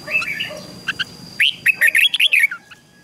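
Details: Red-whiskered bulbul being trained to sing in the morning, giving short bright whistled phrases around two to three kilohertz, a brief rising slurred run, then a quick burst of chirpy notes before fading.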